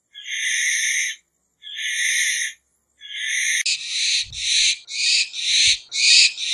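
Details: Barn owl uttering three rasping screeches about a second long, then a quicker run of five shorter, harsh hissing screeches almost back to back, with faint low thumps beneath.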